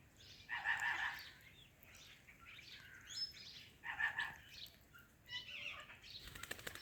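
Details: Talking ringneck parrot greeting an Alexandrine parrot: two short, speech-like phrases near the start and middle, with brief quieter chatter between and a faint background hiss.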